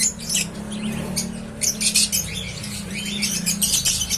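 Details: Newly hatched cockatiel chicks making thin, raspy, hissing calls in quick irregular bursts, louder toward the end, over a steady low electrical hum.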